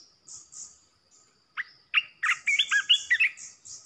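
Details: Decoy Red-whiskered bulbul song used to provoke rival bulbuls: two spaced single notes lead into a rapid, gurgling series of warbled whistles, over soft, high chirping.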